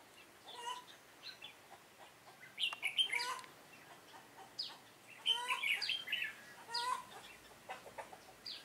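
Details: Red-whiskered bulbul singing as a trapping decoy, dated 7 September 2018. Scattered soft chirps build into several rich whistled phrases with upswept notes, spaced by short pauses.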